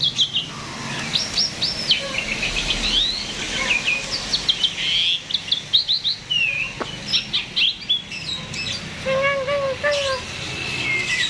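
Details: Vigorous myna song for drawing out other birds' singing: bursts of sharp chirps and upsweeps separated by short pauses, then soft repeated wavering notes near the end.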